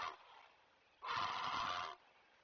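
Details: A great blue heron parent at a Chesapeake nest, 20 May 2023 around 05:45, alerts others to stay away with one harsh, raspy squawk lasting about a second, after a brief rough note.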